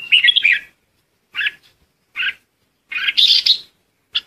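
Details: Decoy red-whiskered bulbul calling its flock: an opening warble, two short isolated chirps, then a fuller, slightly harsher burst and a final clipped note, with silent gaps between.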